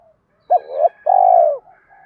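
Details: Single fighting-coo phrase of a spotted dove used as a trapping lure: a quick hooked note sliding into a rising purr, then one long, even, mellow coo that fades downward.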